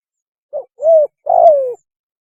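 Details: Spotted dove mating call, used as a hunting lure: a brief low coo, then two longer mellow coos, each sliding slightly downward, in a quiet background.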